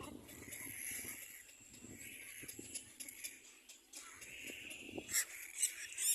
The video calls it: Little black cormorant baby birds compete for food